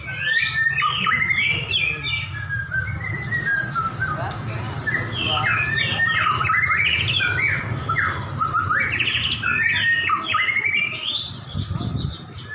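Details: Extended singing from two prize-winning white-rumped shamas set to duel: varied whistles, sharp upward and downward sweeps and chattering bursts pour out continuously over a steady low background rumble.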